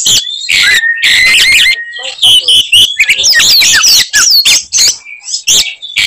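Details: Oriental magpie-robin singing aggressively to provoke other magpie-robins; a steady level whistle runs under quick looping notes, giving way to jumbled high sweeps and clicks.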